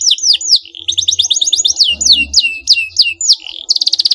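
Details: Canary song intended to spur an opponent into answering: quick descending whistled sweeps repeated in a lively series, closing with a short buzzy rapid trill.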